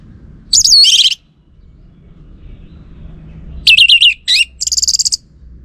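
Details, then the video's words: Orange-headed thrush song played as a lure to make male birds answer: a short burst of high, slurred whistled notes, a pause, then a run of quick sharp chips and a buzzy rattling trill, over a faint low rumble. "Pancingan Burung ANIS MERAH"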